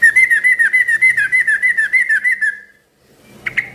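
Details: Chattering yellow-vented bulbul used to make other bulbuls call back: an even, rapid series of liquid warbled notes, each dipping and rising, for about two and a half seconds. Silence follows, then a short sharp chip.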